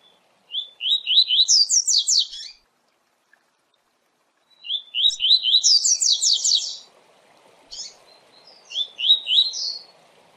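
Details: Rapid Tui Tui song of a coleiro, used for training, management and pairing. Bright rising whistles in fours break into a cascade of fast falling high notes, repeated twice, then a shorter phrase, with near-silent gaps and faint hiss late on.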